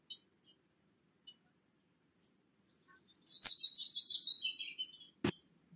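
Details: Bewick's wren visiting a nest box with nesting material: two brief high ticks, then a fast, buzzy, high-pitched trill lasting about one and a half seconds, followed by a sharp click.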